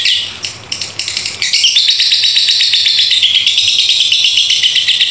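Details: Lovebird 'ngekek' chatter from a bout lasting over two minutes, starting softer and broken, then settling into a loud, continuous, shrill trilling rattle with rapid even pulses.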